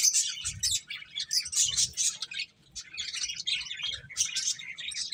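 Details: Finches chirp while eating, several birds making rapid high twittering in clustered bursts, with a short quieter gap midway and soft low bumps.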